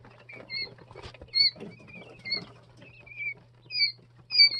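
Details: Several Jumbo White Quail chicks aged two and three days call with scattered high, falling peeps that overlap among pecking and rustling noises, all over a faint steady low hum.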